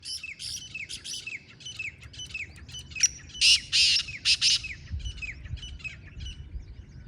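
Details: Wild black francolin calling together with a captive black francolin; harsh, grating bursts with rapid downslurred notes repeated about twice a second, loudest in the middle, over a low rural background rumble.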